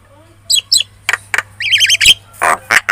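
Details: Chatty Javan myna lure song for prompting other birds to reply: short clicks, a wavering warbled trill, then harsh buzzy squawks with a faint low hum beneath.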